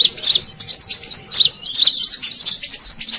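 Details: Lure call of the Brown-throated sunbird, used in Indonesia to attract wild birds: a continuous run of sharp, high, zigzagging chirps and quick twitters, bright and busy, over a faint low hum.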